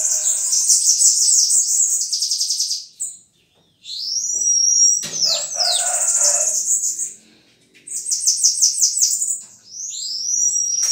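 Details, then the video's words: Bananaquit song, kept as a song bird: high, thin buzzy trills and rapid twittering phrases, each burst lasting a few seconds and separated by short pauses, with sweeping whistled notes in the middle. "Sibite Capitão"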